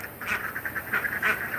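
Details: Farm ducks on an agroforestry farm, quacking in a quick, laughing run of nasal notes, described as always laughing. Steady outdoor background hiss.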